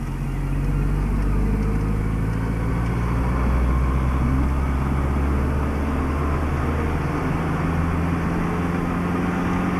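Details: A steady low rumble of passing road traffic and engines, with no animal voices heard.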